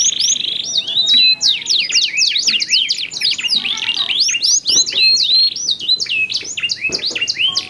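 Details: Two gacor canaries answering each other with different voice colours, used to prompt other canaries to sing: dense high whistled song of rising and falling slurred notes, a brief steady trill, and rapid chirps with barely a pause.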